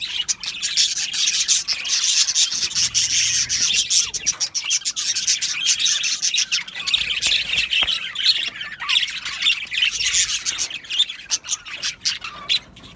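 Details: Aviary colony of Australian budgerigars chattering together: unbroken, busy high-pitched twittering and rasping chirps from many birds, rising and falling in loudness for the whole stretch.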